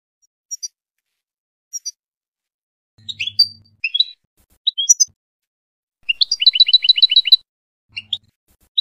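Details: European goldfinch from Tunisia singing: scattered high tinkling chirps build into jangling twittered phrases, then a fast repeated trill of about eight notes, with pauses between bursts.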